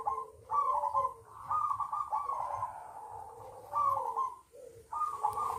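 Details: Local perkutut, or zebra dove, kept caged in a collection, giving long, vibrating coos that waver and break into repeated phrases, with a soft low hum behind.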